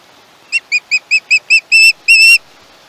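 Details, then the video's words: Live nest camera at Chesapeake, 21 August 2019, catches a young osprey giving six clipped, high screeches followed by two longer wailing notes. "Lil Bit is screechy! Chesapeake Ospreys."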